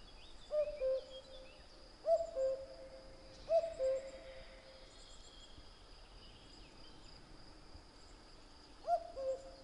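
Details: Cuckoo song: clear two-note phrases, high then low, given three times in quick succession, then a pause of several seconds before a fourth, over faint distant bird calls.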